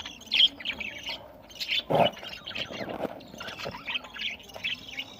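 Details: Budgies eating together, Larkana, Sindh, November 2023: irregular high chirps and warbling twitters, one louder low thump near the middle, and faint rustling underneath.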